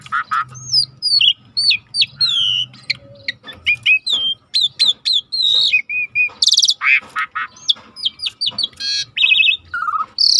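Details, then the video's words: Asian pied starling (jalak suren) song serving as a lure to prompt singing: a long, dense medley of whistles, squeaky notes and loud harsh bursts delivered almost without pause. "tembak burung jalak suren yang macet bunyi auto dengar yang ini"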